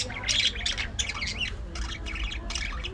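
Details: Colony of budgies in an aviary giving continuous overlapping chatter, a dense mix of squeaky chirps and warbled notes from many birds with no pause, over a low background hum.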